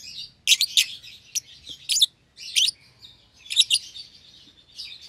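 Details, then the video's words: Two young lovebirds, an albino with red eyes and a euwing green opaline, sharing a single-pair cage; bursts of loud shrill chirps in clusters separated by softer twittering and short silences. "Lovebird Chirping Sounds"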